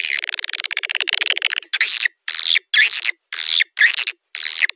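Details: Swiftlet attraction call for a bird house: begins with a rapid clicking rattle, then repeated harsh buzzy chirping bursts, each about half a second long, separated by short silences.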